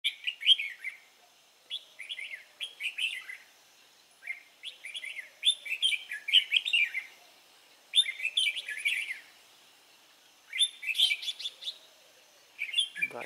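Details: Newly wild-caught red-whiskered bulbul recorded on 23 April 2017, singing bright warbled phrases of rapid rising and falling whistled notes in bursts of one to two seconds, separated by short pauses, with a faint low chatter behind.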